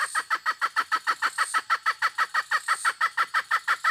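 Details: Hen clucking in a brisk, regular train of short nasal pulses, about three each second, steady in loudness throughout, over a thin high-pitched hiss.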